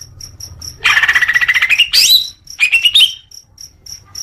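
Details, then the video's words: Leafbird phrases used as therapy for newly caught young birds: a rising chattering whistle and a short warbled phrase, with a faint high pulsing insect-like sound repeating in the background. "suara kicau murai daun untuk terapi burung bakalan"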